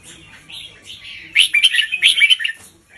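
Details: Caged red-whiskered bulbul tutor bird singing a doubled three-phrase song, delivered slowly with clearly spaced notes, played to teach young birds and rouse other birds; rich, warbling whistled phrases that swell into a bright, rapid run of chirps before fading.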